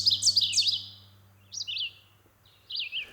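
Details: A Red-eyed Vireo sings in woods on a homestead on a spring-migration morning, behind an Ovenbird: short, slurred, whistled phrases rise and fall, each followed by a pause of about a second, over a low steady hum.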